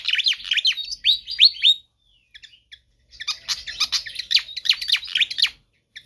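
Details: Pied fantail singing vigorously: a fast run of sharp, high, downslurred chirps and short whistles for almost two seconds, a pause, then a second, denser burst of scratchy chirps lasting about two and a half seconds.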